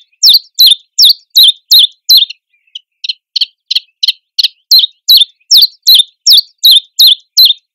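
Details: A Common Chiffchaff in a nettle thicket sings a steady string of bright, high chiff-chaff notes, about three a second, with a brief pause and a few softer notes midway.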